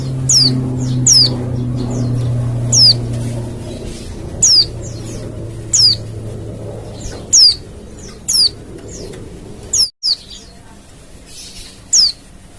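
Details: Wild Oriental white-eye calling, played to prompt other white-eyes to respond: a run of sharp, high, descending whistled notes, roughly one a second and irregular, over a low steady hum in the first few seconds and a brief dropout near the end.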